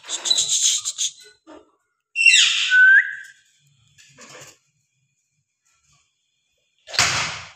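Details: Caged cockatiel uttering a loud screechy call that slides upward into a whistled note, preceded by scratchy rustling and followed by softer clicks and a brief noisy burst.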